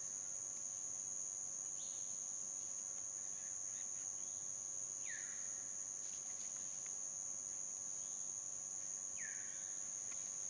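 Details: Chestnut-winged cuckoo (Clamator coromandus) at a small waterhole in a dry stream bed, dry season, Phnom Prich Wildlife Sanctuary, Mondulkiri, Cambodia, 9 March 2016 ~17:21: three short, harsh downslurred notes every three to four seconds over loud insect drone.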